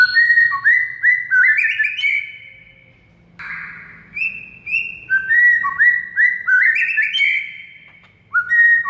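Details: White-rumped shama masteran meant to make a quiet bird sing vigorously: repeated bursts of fluty whistles and ascending slurs, a pause, a harsher note, then more rich phrases and a final whistled burst.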